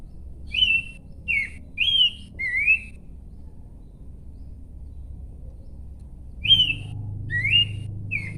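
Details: Horsfield's babbler whistling a phrase of four varied notes, then a long silence before three more slurred whistles, over a low background hum.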